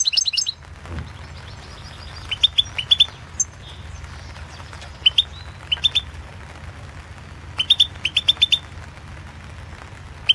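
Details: Competition song of a Balkan European goldfinch, 2016 online world championship entry: clusters of short, bright, rising chirps repeated in twos and threes at intervals, with faint high buzzy notes between them and a low background hum.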